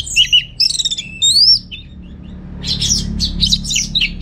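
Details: Orange-headed thrush kept at home in Singaraja, North Bali, used to prompt and tutor other songbirds; three clear high whistled phrases with rising slurs, a pause, then a burst of rapid scratchy chattering notes over a faint low hum.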